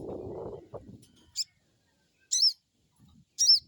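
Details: Crested jay crecet call as a lure for a new bird: a low rumbling noise at first, then three sharp, rasping high chirps, each about a second apart.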